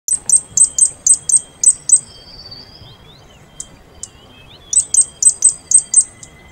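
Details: Fire-breasted flowerpecker (Taiwan subspecies Dicaeum ignipectum formosum) giving very high, thin ticking notes in quick series, about eight in two seconds, then a pause and another burst; faint other bird notes behind.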